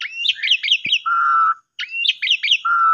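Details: Asian pied starling singing actively, used to stimulate silent or sulking starlings; quick runs of sharp descending whistled notes, each followed by a long, steady, slightly buzzy lower whistle, with one brief pause mid-phrase.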